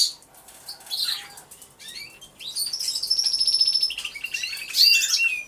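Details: Aviary canaries recorded on a hidden camera. Scattered chirps grow into sustained high whistles and rapid trilled rolls, with louder bright notes near the end.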